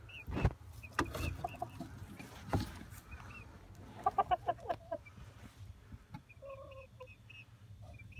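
A chicken gives a quick run of soft, throaty clucks, about five in two seconds, over a low background rumble with scattered clicks and faint high chirps.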